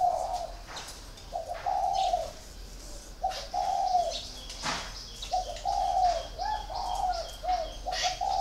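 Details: Spotted dove, a còi kept caged for four years, cooing in repeated low mellow phrases roughly every two seconds. Thin high chirping from other birds and occasional clicks run behind.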